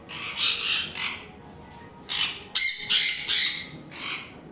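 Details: Hand-fed pet sun conure eating from a person's hand lets out a series of short, harsh, raspy screeches in uneven bursts, some doubled, with gaps between, while a woman speaks softly in Bengali.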